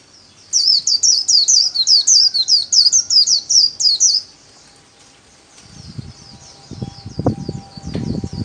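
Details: Kept white-eye singing the líu style solo, used for daily training: a fast run of high, sharp, slurred notes about 2.5 per second for four seconds, then quiet, with low knocks and thumps near the end.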